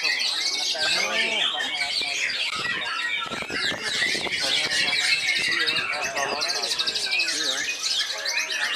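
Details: White-rumped shama at a singing competition marking a club's fourth anniversary, delivering a dense, rapid stream of high whistles, trills and chattering notes, overlapping with crowd voices and other birds.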